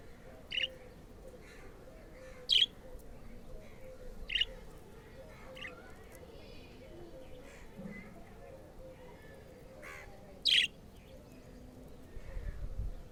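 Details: Black-face budgerigar kept as a pet, calling during play: brief, bright chirps in loose bursts roughly every two seconds, with quieter twitters between them and a low rumble of room noise.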